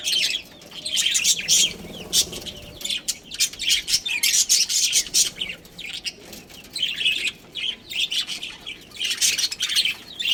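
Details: Budgerigars, a breeding pair kept in a colony, chirping busily: dense bursts of high, scratchy twittering chatter from several birds, coming in waves with short lulls between.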